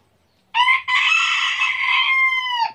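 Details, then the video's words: Cockerel crowing in Tabulahan, Mamasa regency, Indonesia: a brief first syllable, a tiny gap, then a strong, sustained, harmonic crow lasting nearly two seconds that eases down in pitch at its close. No other sounds intrude. "Ayam jantan Dari Timur"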